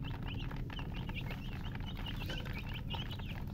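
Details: Domestic chicks chirping: rapid, high, thin downslurred peeps overlapping continuously from several birds, set against a steady low rumbling background hum.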